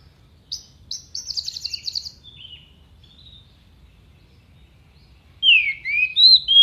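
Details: Orange-headed thrush in full mimicry song used to tutor contest birds: a fast rattling trill fading into thin notes, then after a pause loud, sharp, swooping whistled phrases.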